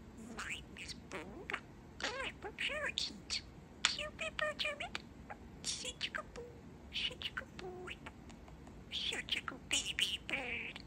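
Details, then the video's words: Male pet budgie talking: rapid runs of buzzy, squeaky mimicked words with stacked, bending tones, interspersed with dry clicks and bright chirps, delivered in several phrases with brief gaps, quiet room background. "Talking Parakeet"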